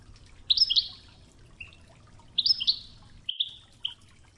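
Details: European goldfinch in the Wedani song style, from an original training tape featuring the Tougza, with river water sounds: short bright whistled bursts, some slurred and buzzy, in two clusters, with steady low water murmur beneath.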